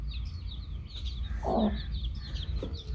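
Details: Among peeping baby chicks a hen utters one full, low cluck midway, while the chicks keep up high, rapid chirps throughout over a low rumbling background.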